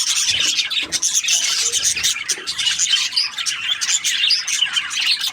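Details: Chirping budgerigars in a crowded, rasping chatter of high squeaks and scratchy notes, with a few faint low knocks early on.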